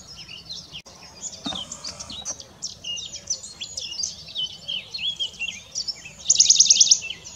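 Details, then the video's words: Western Bonelli's Warbler recorded on 15 April 2022 gives one loud, dry, high trill of rapid identical notes near the end, amid a busy twittering chorus of other small birds. "Pouillot de Bonelli"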